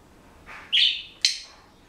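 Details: Senegal parrot kept as a pet gives two quick bright chirps about half a second apart, the first a longer, slightly descending whistle and the second more abrupt and noisy.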